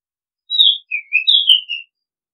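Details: One clear phrase from an Oriental magpie-robin: a high whistle sliding down, a lower warbled dip, then bright falling notes; calling and decoy-bird recording.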